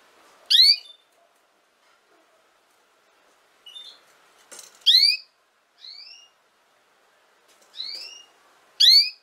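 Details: A canary sings bright, high, slurred whistles in short bursts of one to three notes, spaced a second or two apart, against a quiet background; song used to teach young canaries to sing.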